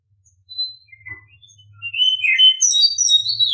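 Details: An Oriental Magpie-Robin sings in the morning, beginning with a few thin scattered notes over a low hum, then bursting into loud, fast, rising warbles and high twittering phrases.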